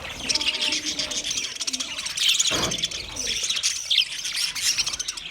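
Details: Budgerigars chirping together: a dense, continuous high chatter of twittering and scratchy notes, with a louder burst of chirps near the middle and faint lower warbling underneath.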